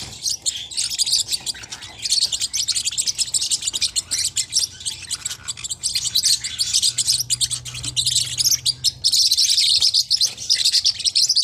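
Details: Small hook-billed Forpus parrotlets chattering in rapid, high, scratchy chirps that overlap steadily and grow louder and denser near the end, over a faint low hum.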